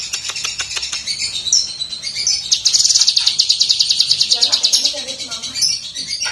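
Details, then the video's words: Lesser green leafbird singing in full, clear voice: a high, bright, chattering song of quick varied notes, breaking midway into a fast, even, buzzy trill lasting about two seconds. "Masteran Cucak Kinoi GACOR √ || Suara Jernih !"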